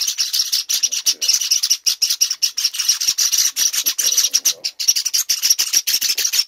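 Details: Hand-fed Java sparrow chicks, six weeks old, beg continuously with shrill, scratchy chirps repeated in quick, uneven bursts, with a steady hiss-like wash of sound and only brief gaps.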